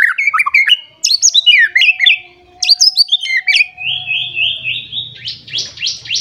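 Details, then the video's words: Agitated white-rumped shama seeking a rival sings jumbled whistled and chattering phrases, then a long trilled ascending series of rapid repeated notes, over a faint steady low hum. "Pancingan Murai Batu Emosi Mencari Lawan Bikin Murai Lain Langsung Emosi Bongkar Isian"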